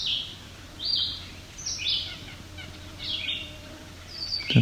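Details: A talkative Red-eyed Vireo on rocky alvar near Cape Chin North, Ontario, on 17 July 2019, grows louder as it sings short, high, slurred phrases about every second over a steady low hum.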